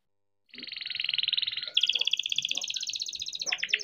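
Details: Young captive-bred canary singing its rolling song, used as a lure to get other canaries singing: a long, steady rapid trill, then a higher, brighter trill, ending in a few quick sharp notes.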